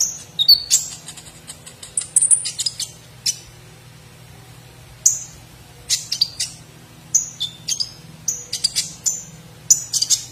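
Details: Kolibri ninja, or olive-backed sunbird, from a competition training recording, delivering a busy high-pitched song with 'platuk sampit' fill-ins: rapid squeaky twitters, thin descending whistles and sharp tweets in irregular bursts over a faint continuous low hum.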